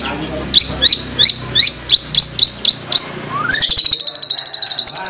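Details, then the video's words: White-rumped shama in vigorous song, with full 'tembakan' (shot-like) phrases, recorded as a lure to coax other shamas to sing: a run of sharp rising whistled notes about every third of a second, then a slurred upsweep and a fast, high, even trill. "Pancingan Masteran MP3 Murai Batu Gacor Full Isian Tembakan Mewah"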